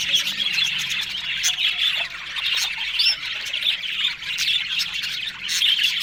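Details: In the morning, Australian budgies eat green food in Larkana, Sindh, producing a dense, high chatter of warbles, clicks and sharp squawks, with occasional louder upswept chirps over the flock.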